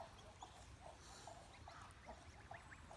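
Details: Domestic Chinese goose, a breed descended from the wild swan goose, gives a quick series of about seven short, soft nasal honks, roughly two or three each second, over a low steady rumble.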